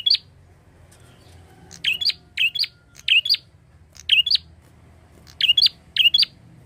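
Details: Chatty prinia calling, used as a lure for flock-kept birds: sharp two-part chirps, a buzzy low note then a higher squeaky one, given in bursts about every half to one second, over a faint low hum.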